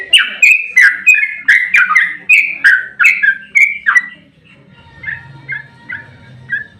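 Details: Sooty-headed bulbul singing in a fighting, agitated state to provoke other birds: a loud burst of quick whistled notes for four seconds, then softer distant phrases over a low hum.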